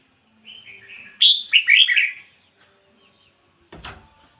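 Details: Decoy red-whiskered bulbul in ngoi bổi song style: a soft warbled lead-in followed by a loud burst of rapid, rising-and-falling whistled notes lasting about a second, then quiet with a brief knock.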